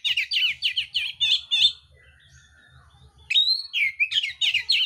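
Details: Oriental magpie-robin contest singing: a fast series of harsh repeated buzzy chips, a pause with faint thin notes, then a rising whistle followed by more rapid rasping notes; steady low hum underneath.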